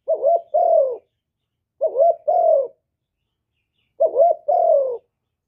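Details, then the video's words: Spotted dove singing in the hạp bổi voice style, a full song of calling, urging and cooing recorded live without background noise: three low two-part coos, a short hooked note then a longer falling one, about two seconds apart. "Cu Gáy Giọng Hạp Bổi ĐỦ BÀI (GỌI +THÚC + GÙ)"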